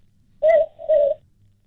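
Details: Southern Boobook, also known as mopoke, a night-calling owl, played back on a radio bird-call quiz: two hollow, low hoots in quick succession, 'boo-book', the second slightly longer, over a faint background hum.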